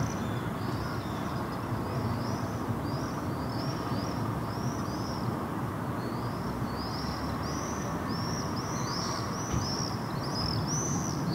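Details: Common swifts (Apus apus) over Helsinki, Finland, on a summer evening at sunset in August 2015, giving thin, high, shrill screams in quick bursts, several birds calling repeatedly over a steady low rumble of wind or distant traffic.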